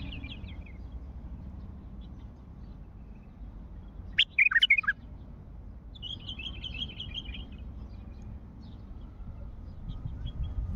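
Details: A wild bulbul from Mandali gives one loud, bubbly, tumbling phrase of quick whistled notes, surrounded by faint distant chattering and a low background rumble.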